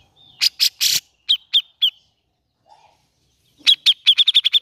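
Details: A grey-cheeked bulbul, used as a lure to prompt birds reluctant to sing, gives harsh, scratchy bursts, then bright chirped notes, ending in a fast run of about eight sharp, even chips.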